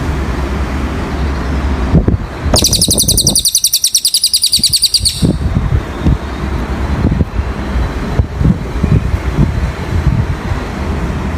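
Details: Cililin bird singing as a training song: a fast, bright, high trill of rapidly repeated notes lasting about two and a half seconds, surrounded by heavy low rumbling traffic-like noise and clicks.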